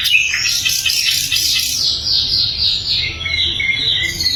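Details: Sikatan londo flycatcher singing a loud, clean song meant as training material for songbirds: a dense, high, continuous twitter of fast repeated chirps that drifts slightly lower toward the end.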